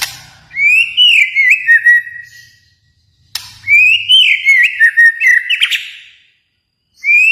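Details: Kalimantan white-rumped shama delivering two long phrases of bright, wavering whistles, sliding down in pitch with rapid flourishes, separated by a sharp click; a low hum underneath.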